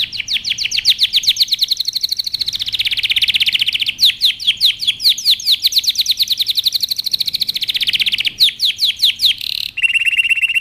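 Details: Canary singing a powerful training song: long runs of rapid repeated downslurred notes, varied trills and a buzzy rolling section, ending in a sharp repeated whistled phrase.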